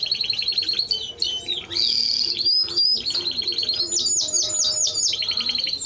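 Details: Rapid, tightly packed trills and churring rolls from a Timbrado Español canary, interrupted by a short sweeping whistle, then returning to steady metallic rattles at high pitch.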